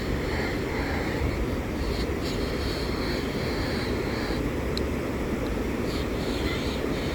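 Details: Steady roar of rushing water at a waterfall, with wind buffeting the microphone and no clear animal calls.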